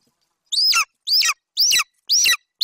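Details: Young male golden eagle at a nest in Bucovina on 27 July 2021, standing over a Eurasian hare brought in by his mother and calling. Five loud, harsh, downslurred chirping yelps come at roughly half-second intervals against silence.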